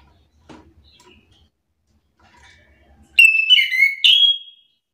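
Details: Chestnut-capped thrush, provoked into answering song: after faint rustles, a loud burst of clear descending whistles, a short pause, then a rising fluty whistle.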